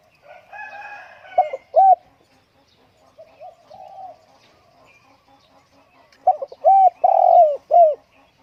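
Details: Spotted dove kept indoors on a windy day. Quiet, muffled cooing opens the recording, then a loud full phrase follows: clipped notes, a rounded coo, a long rolling purr and a closing dropping coo.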